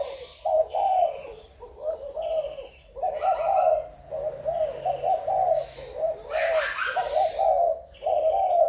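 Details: Repeated throaty coo phrases from a spotted dove of Malaysian, Thai or Cambodian origin, 21 November 2022, about every second and a half across the recording, with a brief burst of noisy wing flutter near the end.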